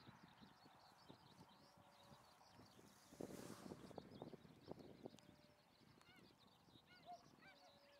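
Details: A flock of Tundra swans on the west shore of Lake Biwa, Japan, on 27 February 2020 gives soft, nasal honking and bugling calls, overlapping irregularly, over a steady rumble and occasional knocks.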